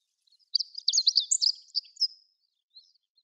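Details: Chestnut-eared bunting singing at Sarobetsu Natural Flower Garden, with day lilies in the background: one quick, high jumble of chirped and twittering notes lasting under two seconds, then a faint distant twitter.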